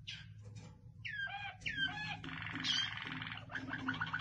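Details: Waterslager canary singing varied phrases: looping downward whistles, a dense rolled trill in the middle, then quick bubbling notes, above a constant low hum.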